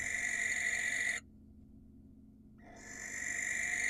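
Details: Barn owl, wild, in Israel, screeching to attract a female: a harsh, rasping screech stops, a pause of over a second follows, then another raspy screech begins.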